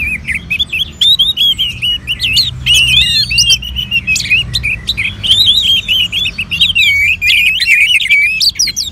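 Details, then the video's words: Orange-headed thrush (Anis Merah), a kept bird stimulated with recorded colony birdsong: an almost unbroken stream of rich, looping whistled phrases, rapid and varied, with thin high chirps of other small birds layered above. "Merangsang ANIS MERAH Agar Mau Berbunyi"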